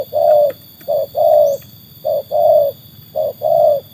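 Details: Low mellow coos from a trained spotted dove proven against wild birds, each phrase a clipped note then a sustained, slightly falling one, three phrases in quick succession over faint background hum.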